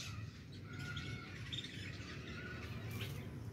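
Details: Female francolin trying to fight with chicks: thin, drawn-out whistled notes and short squeaky chirps over a steady low hum and crackling background noise.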